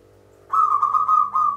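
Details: Lure recording of a local zebra dove singing in Mataram style: one sustained, rolling series of fast, slightly wavering coos blurring into a continuous trill, with a faint steady hum beneath.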